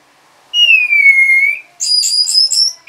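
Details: Orange-headed thrush singing in reaction to a lure sound: a long clear whistle sliding gently down then up, followed by four rapid buzzy, scratchy high notes, with no other sounds.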